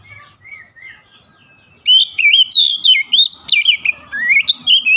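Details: Oriental magpie-robin, described as stressed and recovering into lively singing: soft scattered chirps for two seconds, then loud, rich whistled phrases of slurred rising and falling notes, delivered rapidly and varied without pause.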